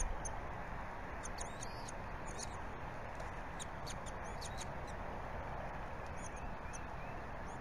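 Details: Bald eagle nest at Berry College, 14 February 2018, 8:20 am, father feeding one of two chicks; rapid run of high, thin, twittering peeps early on, then scattered squeaks, all over continuous hiss.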